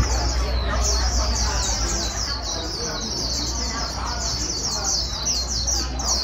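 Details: Wild-caught white-eye being prompted to sing its fast twittering song: a continuous, rapid run of thin, high chirps and trills packed closely together, over a steady low hum and faint background murmur.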